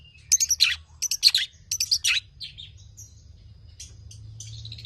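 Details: Champion long-tailed shrike with full mimicry: several loud, harsh chattering bursts in the first two seconds, then faint thin whistles fading out against a low steady hum.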